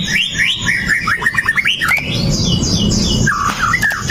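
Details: Fierce white-rumped shama of the pastol type, a sharp-firing fighter recorded on a Xiaomi Note 8 Pro, singing to provoke rival shamas: a fast descending series of clipped whistled notes, then chattering high notes and looping slurred whistles.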